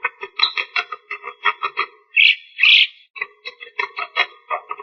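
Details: Javan myna chatter: a rapid, uneven series of harsh nasal pulses, interrupted by two loud rasping screeches, then the pulsing chatter resumes.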